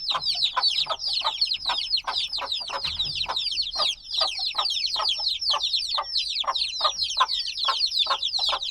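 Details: Noisy flock of few-day-old black chicks: continuous overlapping high chirps, each a quick falling whistle, layered thickly with no pauses, plus regular low dull taps running through the recording.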